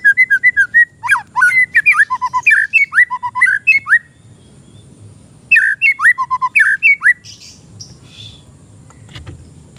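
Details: Untrained oriental magpie-robin singing as tutor or trigger song for training cage birds: a long run of rapid, loud whistled notes, slurred up and down, then a pause and a shorter burst of similar phrases over a low background rumble.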